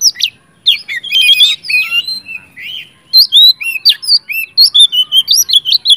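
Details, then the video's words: Oriental magpie-robin in full, intense song, aimed at getting stalled magpie-robins to answer: varied whistled phrases with scratchy notes, then a fast string of regular, sweet, up-and-down whistles. "kacer gacor ngeplong Sangat cocok buat pancingan kacer macet/bahan jadi nyaut rajin bunyi"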